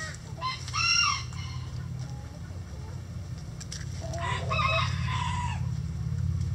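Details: Rooster crowing in a chicken coop on a sunny day while chickens scratch: a brief harmonic call near the start, then a longer drawn-out crow with a falling ending, over a steady low hum.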